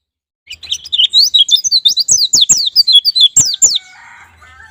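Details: Lure recording of white-eye song for prompting ngalas and nembak singing: after a half-second of silence, a quick burst of about fifteen shrill, sweeping notes with a few clicks, ending in a faint low buzz.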